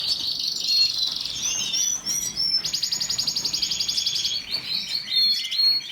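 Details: Canary song: rapid buzzy trills and rolling high tours, including a long fast pulsed trill in the middle, interspersed with sharp whistled notes.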